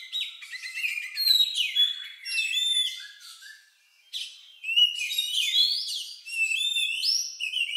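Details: Oriental magpie-robin singing a song described as unusual and lovebird-like, used to prompt other birds to sing: varied clear whistles and slurred rising and falling notes in bursts, with a short pause near the middle.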